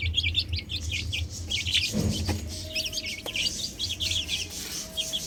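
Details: Chicks playing on a roof chirp in quick high bursts, interrupted by a short thump and a sharp click, while a faint steady tone comes and goes over a low hum.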